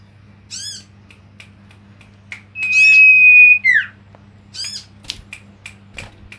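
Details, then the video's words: Male common iora singing as a lure, giving high chirped notes and one long, even, pure whistle lasting about a second, followed by scattered clicks and short notes over a faint hum. "pancingan cipow jantan"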